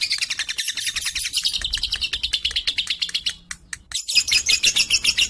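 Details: Young lovebird, said to sing boldly against adult birds and to be suited as a tutor bird, gives fast high chirps at about three and a half per second, breaking off briefly near the middle before resuming.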